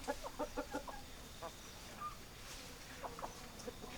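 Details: Hens clucking in a quick run of evenly spaced clucks at the start, followed by a lone cluck and scattered softer clucks later over faint background noise.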